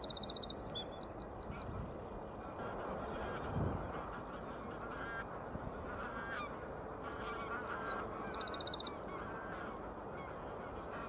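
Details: Eurasian wren (Troglodytes troglodytes), song.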